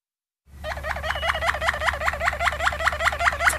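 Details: Malinois Waterslager canary song: a run of rapidly repeated, bubbling, hooked notes in a mid-high register, about four per second and steady in rhythm, over a continuous low mechanical hum.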